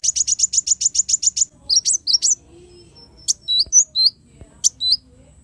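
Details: Black sunbird opening with a rapid, even series of about ten high, sharp notes, followed by scattered slurred chirps and chips.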